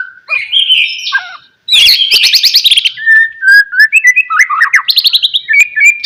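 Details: Lure song of a White-rumped shama meant to make other shamas sing, loud varied whistles and rapid trilled strings of notes, interspersed with high sharp clicks.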